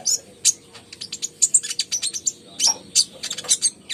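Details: Brown-throated sunbird singing busily, used as a lure recording for caged birds that are slow to sing: a dense run of very high, sharp chirps and twittering notes in quick bursts, with brief pauses around each second.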